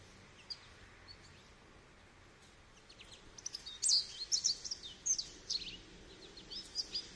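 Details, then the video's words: Near-silent background with faint distant notes, then a Goldfinch bursts into high, tinkling twitters and bright chirps during the second half, about two notes a second. "Goldfinch Bird Sounds"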